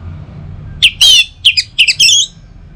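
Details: Orange-headed thrush song played in the morning to prompt other thrushes to sing: a few loud, separated whistled and squeaky notes with buzzy overtones after a quiet start, with a low background hum.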